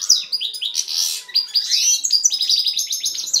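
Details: Male goldfinch x canary hybrid delivering a dense, continuous song of rapid twittering notes, buzzy trills and high whistled slurs that tumble one into another without pause.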